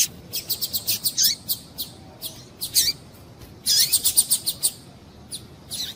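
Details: Female double-collared seedeater calling to stimulate males: quick trains of high ticking chirps, several down-slurred notes, and a dense fast series midway, followed by a softer ending.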